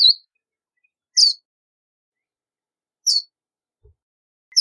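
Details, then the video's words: A Verdin (Auriparus flaviceps) gives short, high, sharp chips, each a quick bright note spaced one to two seconds apart, with a faint low thump between and near-silence otherwise. "Verdin Song! Verdin Call! Verdin Singing! Voice! - Baloncito Verdín Canto"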